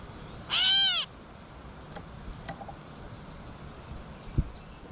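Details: Gray catbird feeding in a backyard gives one nasal, mewing note, followed by scattered soft clicks and ticks against quiet background.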